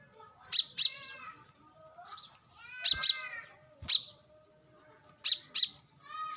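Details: Wild brown-throated sunbird, recorded for luring: high, sharp notes given singly or in quick pairs every second or so, with softer harmonic chirps from other birds between them.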